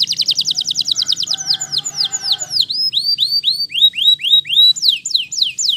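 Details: Waterslager canary singing, beginning with a fast trill of stacked notes, then a slower run of sweeping, curved whistles repeated about twice a second, clear and high.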